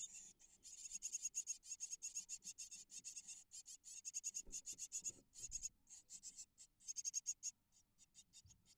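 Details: Eight great tit nestlings, hatched 25 March 2022, in an Israeli nest box as parents feed them between 25 and 70 prey an hour; dense, very high, thin chirping pulses pour out rapidly in near-continuous bursts with brief pauses.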